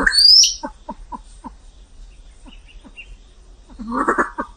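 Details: A high rising whistled note opens, then a Vietnamese pheasant gives spaced, soft downward clucks, and a louder harsh burst of calling comes near the end.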